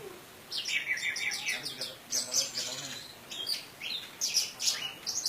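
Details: Indonesian orange-headed thrush singing in teler style, a lure to spur silent or stressed thrushes into song. It gives a rapid, trilled series of high notes, then loud bursts of sharp chirps and whistles at short intervals.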